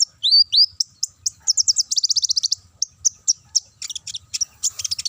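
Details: Lure song of a sunbird meant to set other birds singing: two upslurred whistles open into quick rattling trills and bursts of thin, very high chirps, dense and energetic throughout.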